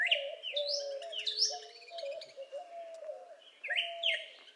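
Clear, slurred whistles sweep up and down in quick bursts, typical of a Northern Cardinal singing. A steady, lower hooting tone runs beneath, possibly another bird.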